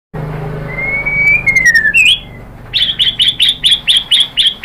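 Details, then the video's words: White-rumped shama song used as a lure to prompt other birds to sing: a long clear whistle that slides down, a brief upward flourish, then a rapid run of about ten sharp, evenly repeated high notes. "KICAUAN MURAI BATU merangsang BUNYI jadi NYAUT GACOR NGEPLONG BONGKAR ISIAN ¦ PANCINGAN MURAI"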